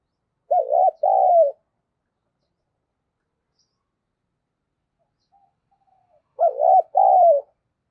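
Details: Spotted dove kept as a decoy, its cooing used to draw in wild birds: two coo phrases about six seconds apart, each two-part with a dipping first note and a drawn-out falling second, and a faint soft note between.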